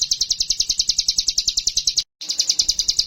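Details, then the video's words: Sumatran leafbird singing vigorously as a lure to get a mountain leafbird singing. A fast, steady series of high, sharp repeated notes, about seven per second, with one brief cut. "PANCINGAN AMPUH CIGUN GACOR DORRRR AGAR CIMLEK GUNUNG IKUTAN GACOR"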